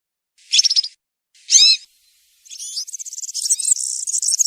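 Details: European serin singing the country style (cante campero) in a forest, used to tutor young serins: two short buzzy trilled bursts, then a rapid high jingling warble running on without a break.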